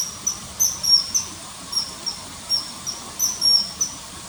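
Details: Common kingfisher, riverside in early September 2020: piercing high whistles in quick uneven bursts, several notes close together, then a short pause and another burst, faint hiss beneath.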